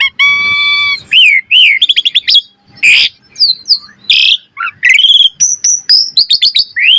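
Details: Asian pied starling song used as a master for cage birds: a steady harmonic tone, then fast chattering clicks, harsh bursts and a string of looping whistled notes.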